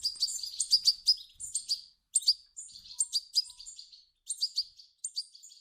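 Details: Calls of begging European goldfinch chicks, intended to make an adult goldfinch sing; tinkling high chirps come in clusters broken by clear silent gaps, each run of several quick notes.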